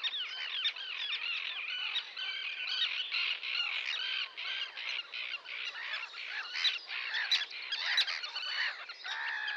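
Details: Sandwich tern (Thalasseus sandvicensis) calls: a dense chorus of harsh, grating calls, many overlapping without pause, like a busy colony.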